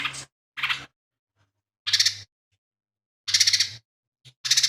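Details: Irregular buzzy phrases from a lesser green leafbird, five rasping pulsed bursts of varying length with pauses between and a low hum underneath; the song is full of imitated sparrow, kingfisher and cililin phrases.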